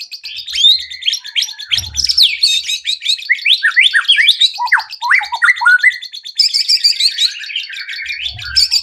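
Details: Dense white-rumped shama song meant to draw other birds into song: rapid jumbled high notes, scratchy trills and downward-slurred whistles with no real break, plus a few low thuds.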